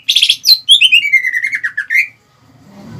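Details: Greater green leafbird singing to rouse rival birds; a harsh buzzy opening followed by a quick descending trill of whistled notes ending on a rising flourish, then quiet background.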